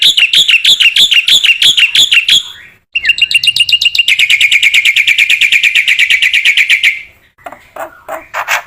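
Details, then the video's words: Black-winged myna singing hard, as training material for other mynas: bright warbled notes, a short break, then a very fast, even trill of ringing notes that fades, followed by a few lower chattering notes. "MASTERAN BURUNG JALAK PUTIH GACOR"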